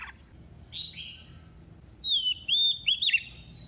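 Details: Oriental magpie-robin female, kept as a decoy, singing in double voice to rouse males: a soft short whistle, a pause, then a louder wavering whistled phrase with quick rising and falling turns.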